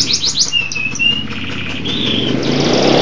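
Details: Brief burst from a local canary singing vigorously. Quick rising notes give way to short whistled tones and a slurred whistle, while low rumbling noise builds toward the end.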